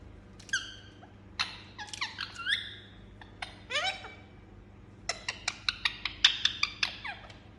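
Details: Pet Indian ringneck parakeet giving repeated sharp squeaky calls and rapid chattering notes, some falling in pitch, in short bursts with pauses, ending in a quick series of clicky chirps; a steady low hum underneath.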